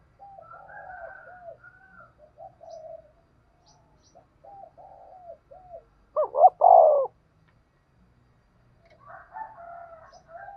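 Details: Spotted dove used as a trapping lure; soft wavering coos from several birds run through, with one loud close phrase of two short notes and a drawn-out coo in the middle.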